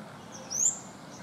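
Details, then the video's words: Cit kemade bird calling in its natural habitat in the wild: one thin, very high whistle that slides upward and fades within about a quarter second, over a soft background hiss. "Burung Cit Kemade di Alam Aslinya"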